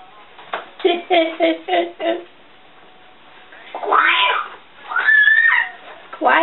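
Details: A female African grey parrot chatting to herself indoors, giving a run of quick nasal syllables followed by harsh, squawky, meow-like calls and a whistled swoop.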